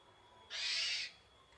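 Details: Javan pied starling (jalak uren) giving its basic, typical song: a single harsh, rasping, noisy burst lasting about half a second, over quiet background hiss.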